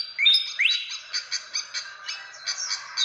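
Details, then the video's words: For luring birds, a fantail gives one loud rising squeaky whistle, then a steady series of short sharp chips, roughly two to three each second, slowly fading. "SUARA PIKAT BURUNG KIPASAN SIKATAN"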